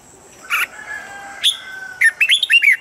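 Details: Red-whiskered bulbul giving its standard training song, meant to help birds quickly reach peak form: two separate whistled notes with faint lingering tones, then a fast run of five rising and falling liquid whistles.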